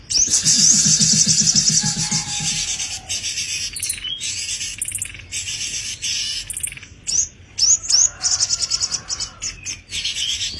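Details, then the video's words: Tame caged sogon (sepah raja) singing hard: a loud, rapid, high trill alongside a lower pulsing series, then broken buzzy phrases and quick chattering bursts of high notes. "burung sogon gacor istimewa"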